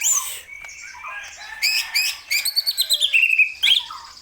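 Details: Greater green leafbird singing energetically, mixing slurred whistles with a rapid series of pulsed, rising chirps and a sharp final flourish.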